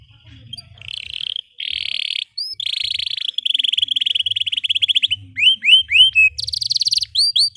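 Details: Canary singing long rolled phrases, meant to prompt young canaries: soft buzzy trills give way to a dense rapid roll, then bright upswept whistled notes repeated in quick series and a final high buzzy burst.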